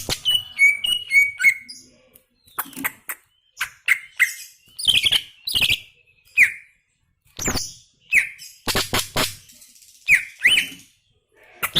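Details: Greater green leafbird singing gacor: opening with a quick repeated whistled motif, then well-spaced short phrases of sharp chips, clicks and descending whistles separated by silent pauses.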